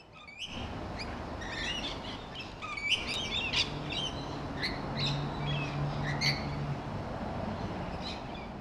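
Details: Rainbow lorikeets feeding on a large 'Kay Williams' grevillea in a back garden. Several birds overlap in a constant run of shrill, harsh, short screeches and chirps over a steady low hum.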